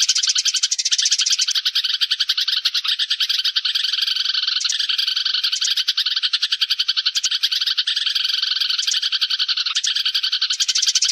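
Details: A sparrow flock calling, meant as lure audio for trapping: a long, unbroken wall of quick chirping notes from many birds, evenly busy with brief brighter bursts.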